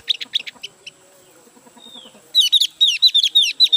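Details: Caged Javan grey-throated white-eye, freshly bought and not yet singing at full strength: scattered high chips, then a dense run of loud, quick, sharply modulated whistled notes repeated about twice per second.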